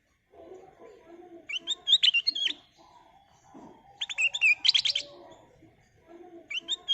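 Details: Black-capped bulbul singing as a lure for catching birds: three bursts of fast chirping and clear whistled notes, each about a second long and spaced a couple of seconds apart, with faint background murmur between them.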